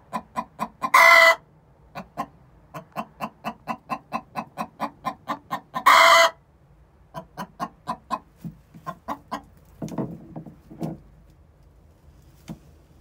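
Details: Egg song from two six-month-old hens before laying: long runs of quick, evenly spaced clucks broken by two loud, raspy squawks, then softer, irregular clucking with a brief rustle near the end.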